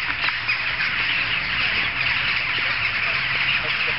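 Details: Jackdaws massed together, loud enough to carry several streets, giving a continuous wash of overlapping sharp call notes with a few louder clicks near the start.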